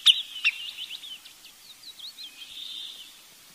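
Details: Wood Sandpiper calling: two sharp, high notes open the clip, followed by a faint, wavering series of fluty whistles that fades away over about three seconds.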